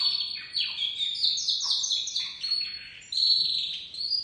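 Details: High, rolling warble from a young white crested domestic canary learning to sing, mixing quick trilled notes and clear whistles, briefly falling quiet before resuming louder.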